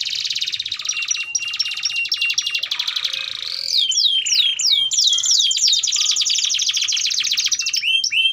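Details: Canary delivering lengthy song to train young birds: an extended rattling trill, then a run of descending slurred whistles and a long bright rolling tour ending in looping notes.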